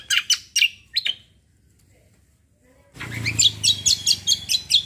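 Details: Cucak kombo, also called kecial kombo, singing actively in a rolling 'tembak' style: bright high chirps, a pause, then a fast run of repeated sharp notes.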